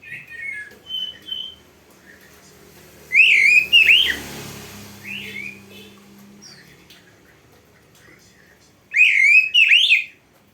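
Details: Oriental magpie-robin song used for training: soft short whistles, then two loud bursts of rapid scratchy twittering phrases about six seconds apart, with a quiet background hum.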